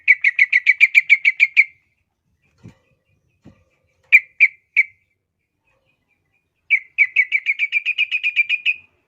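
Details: Trucukan bulbul singing for training young birds: long fast trains of identical bright chirps, a few isolated notes and two faint thuds in the pause, then another even, rapid chirping series.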